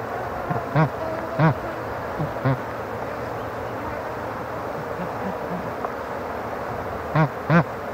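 A bar-headed goose gives five short, nasal honks, two close together early, one alone, then a pair near the end, over a steady low background murmur.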